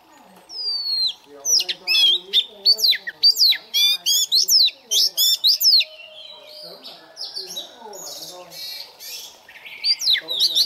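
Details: Oriental magpie-robin, newly caught and caged, warming up its song in the morning: a clear falling whistle, then a fast string of sharp chips and curling slurs, fading into softer scratchy warbles before the loud notes return.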